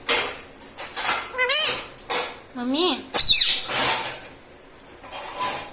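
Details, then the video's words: Indoor pet parrot mimicking the words "mummy papa" in short squeaky bursts, each a wavy, harmonic, speech-like phrase rising and dipping, separated by brief pauses, with faint room noise and clinks between phrases. "Mummy pappa talking parrot🦜🦜 || mithu hu mithu || मम्मी पापा बोलने वाला तोता"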